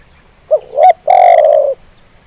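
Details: Single lure phrase of a zebra dove meant to prompt lazy birds into calling: short soft coo, a swelling upslurred note, then a sustained strong coo tapering down, over faint background hum.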